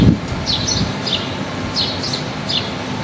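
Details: A fine, windy day in the trees: birds give clear, high chirps that dip in pitch, often in quick doubles, six or so in three seconds, over a soft, constant wind hiss.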